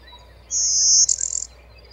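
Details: Blue-winged warbler song: a single two-part buzz, a long, even, high buzzy note lasting about half a second, then a shorter, harsher, rattling buzz, with only a faint low hum in the background.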